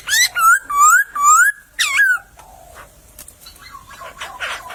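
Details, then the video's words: Wild laughingthrush in a bamboo thicket gives four loud, rich whistled phrases, each slurring upward with a buzzy edge. Quieter scattered notes and faint background rustle follow. "Burung POKSAY berkicau di semak bambu"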